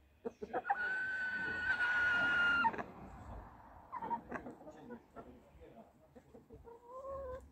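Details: A rooster kept with laying hens crows in reply to roosters crowing far away: a few short notes, then a long, bright, level cry of about two seconds, followed by softer clucks and a brief voice-like sound.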